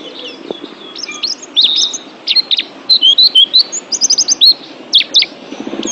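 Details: Oriental white-eye singing on a pet-bird training recording: high twittering that builds into fast runs of crisp chirps and bent whistled notes, with faint low murmuring noise at the end.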